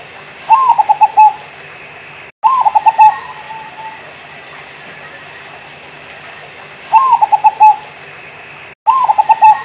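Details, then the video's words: Local zebra dove, an actively singing bird, gives four cooing phrases about two to four seconds apart. Each phrase opens with a rising coo and runs into a quick stutter of short, even coos. A steady low hum and faint clicks sit behind. "Suara perkutut Lokal Gacor"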